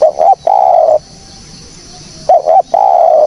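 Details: Spotted dove calling, recorded cleanly for use as a trapping lure. Two phrases of soft, hollow coos, each a quick wavering double note followed by a longer even coo, with a second of quiet between them.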